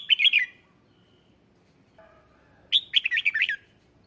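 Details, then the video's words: Red-whiskered bulbul lure singing to draw in wild birds: a brief warbled phrase, then a faint soft tone, then a longer run of rapid, sharply slurred whistled notes. "Tiếng chào mào mồi hót gọi bổi má trắng, kích bổi sổ bọng hót căng lửa"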